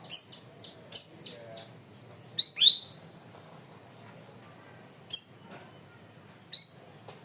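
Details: Cream-vented bulbul in full voice: loud, clear, sharp high chirps that drop quickly in pitch, given in spaced bursts, some doubled, with a faint low background hum.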